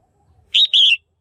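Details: {'text': 'A caged female red-whiskered bulbul gives a single loud double chirp, calling to stimulate males or for pairing: a brief ringing note, a tiny gap, then a longer warbled note that falls at the end.'}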